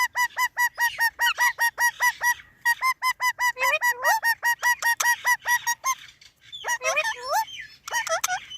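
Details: Parrot repeats a clipped, nasal note about twice per second in a steady honking series, shifting into swooping, looping phrases, then a pause and a few irregular, wavering calls.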